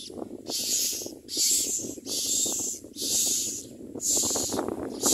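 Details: Common myna chick begging while a parent feeds it: a series of grating, hiss-like calls spaced about one second apart, loud and regular, over faint rustling.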